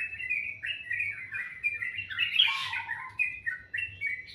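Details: Morning song of a bird, described as melodious: an unbroken stream of warbling chirps that swells into a louder bright burst midway, then softer twitters, with a faint low hum.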